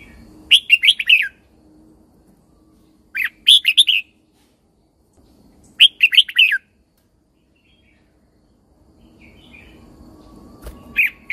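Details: Caged red-whiskered bulbul from Thailand, training song to excite other birds: three clear phrases of rapid warbled notes, roughly every two and a half seconds, then a pause with low rumble and a final note.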